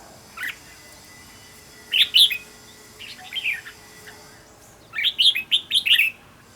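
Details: Red-whiskered bulbul singing so another bird can learn: a lone note, then two short warbled phrases, a pause, and a final burst of five or six quick, bright whistled notes.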